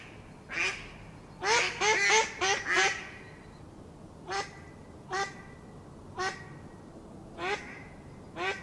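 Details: Mallard calls: a quick cluster of four nasal, harmonic quacks, then single quacks spaced roughly a second apart, each slightly sliding down in pitch.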